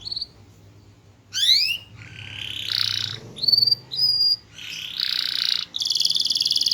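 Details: Canary with a small body and loud, melodious, varied song: rapid rising sweeps, buzzy rattling trills around high pitch, and clear whistled notes in quick succession, with short pauses between phrases.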